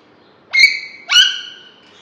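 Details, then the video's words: Caged green ringneck Alexandrine talking parrot utters two quick, nasal, voice-like syllables, each sliding up sharply then holding a steady rasping tone, about half a second apart. "Green Talking parrot"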